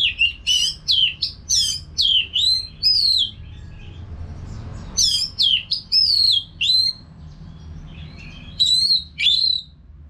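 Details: Caged orange-headed thrush singing nonstop, used as a training sound for other birds: bursts of loud, high whistled and slurred notes in quick runs, with a short pause near the middle, over a low hum.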